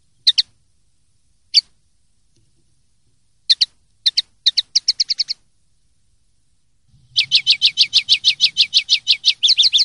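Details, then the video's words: Common linnet clean song from the 2023/2024 season, kept-bird hobby recording: scattered short chirped twitters at first, then a fast, dense run of buzzy repeated notes near the end, with no other sounds. "CD PARDILLO LIMPIO 2023/2024"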